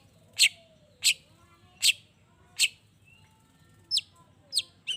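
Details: Long-tailed shrike giving evenly spaced harsh chacks, four in a row, then thinner sliding notes, as a lure to make other shrikes answer; quiet whistles of other birds behind.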